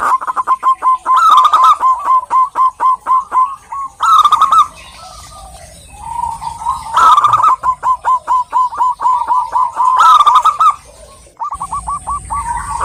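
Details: Female local wild zebra dove calling a male: quick bursts of staccato mid-pitched cooing notes, about four per second, rolling into short trills. Bursts restart abruptly several times as if looped, over a faint steady high hum.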